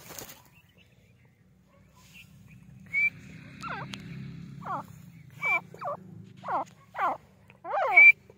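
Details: Grey francolin calling: a series of loud, descending harmonic notes with a sweeping downward slide, repeated roughly every half second to second and growing louder toward the end, with short sharp whistled notes and a low steady hum beneath.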